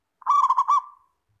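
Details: A local zebra dove, kept as a master singer to prompt other doves to call, gives a soft, mid-pitched cooing phrase. It is a quick roll of about five pulsed notes trailing into a fading final coo.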